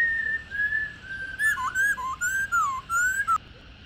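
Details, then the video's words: Female Black-throated laughingthrush 'ro' calling, an old wild bird used to stimulate captive males: a level whistle, then a run of wavering, swooping whistled notes ending abruptly. "KHƯỚU MÁI RÒ GIÀ RỪNG ro rò hay"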